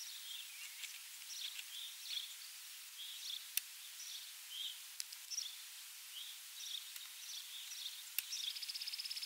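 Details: Eastern Kingbird flying out for insects at Ryerson Conservation Area, Illinois, 17 May 2014: scattered thin, high, sharp notes and brief sputtering buzzes ending in a rapid ticking series, over soft background hiss.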